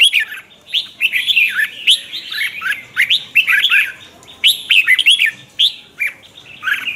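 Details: Morning chè-style song of a red-whiskered bulbul, a twisting lure voice meant to rouse other bulbuls in training: rapid chains of bright, bubbling whistled notes in several dense phrases, with short gaps and a faint low background hum.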